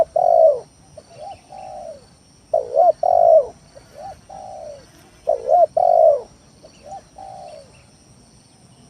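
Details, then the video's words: Spotted dove lure song meant to stir rivals to answer; rhythmic low coos, loud doubled notes alternating with softer drawn-out falling coos, repeated about every three seconds. "Suara Pikat Tekukur Tanah full gacor Nekan lawan"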